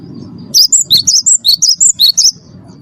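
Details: Cinereous tit, a first-place champion bird, singing as a lure for captive birds: about ten sharp whistled notes alternating high and lower, quick and evenly spaced, over a low background hum.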